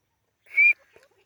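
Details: A single strong whistle from a white francolin, clear and level to slightly rising, lasting about a quarter second, then a couple of faint soft notes.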